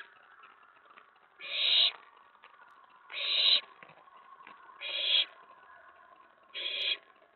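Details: Nest-box owlet stirred up at night by an owl arriving at the tray, May 19, 2017: four rasping, hissy screeches spaced almost evenly, about every one and a half to two seconds.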